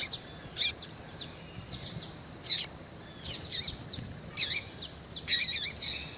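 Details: Female double-collared seedeater, calling eagerly to warm up a male. Irregular high chirps and short twittering bursts are spaced roughly every second, growing busier toward the end.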